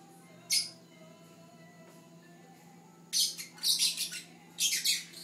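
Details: One Fischer's lovebird among watching siblings: a single sharp squeak, a long quiet pause with low hum, then a run of harsh, high chirping bursts toward the end.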